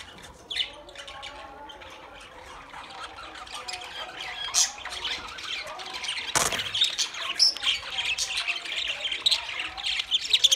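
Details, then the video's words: Budgies twittering, starting faint with an isolated squeak, then building into denser high chattering and squawks, with a brief loud burst of broadband noise midway. "Beautiful Budgie Beautiful Budgies Parrot Talking"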